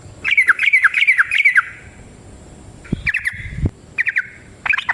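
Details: Yellow-vented bulbul in prolific fighting-style song with a long rapid trill, used to provoke caged birds to answer: a fast burst of bubbly chattering notes, a pause with a few low thumps, then shorter liquid bursts.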